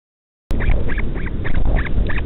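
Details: Northern royal albatross chick at Pukekura/Taiaroa Head near Dunedin, New Zealand, being fed by a returning parent in the middle of the night; six quick, nasal, harmonic calls repeated over about two seconds above a steady low rumble.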